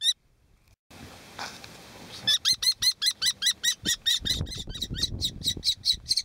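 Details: Young kestrels from a brood of five, ringed at Argaty in 2013, break into a fast run of shrill, harsh 'kee' notes, about four a second, after a moment of quiet, with soft rustling underneath.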